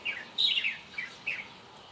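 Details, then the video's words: A bird gives a few bright, high chirps, two short notes early and a louder, slightly longer chirp near the middle, then a softer pair, over quiet background hiss. "홀리는 새소리"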